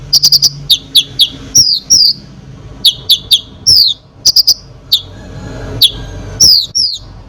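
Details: Konin singing energetically, meant to provoke other birds: sharp high chirps, quick clusters of clicking notes and downslurred whistles, bursts every half second or so, with a low hum underneath.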